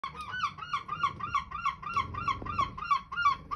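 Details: Seagull at a houseboat in Brighton Marina, banging on a door for food, giving a rapid series of loud, harsh, down-slurred mewing calls, about three per second, with faint knocking beneath.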